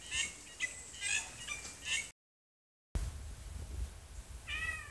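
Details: A crested drongo in Madagascar gives a run of bright, ringing notes, its usual call, then after a brief silence imitates a cat with a drawn, falling mew.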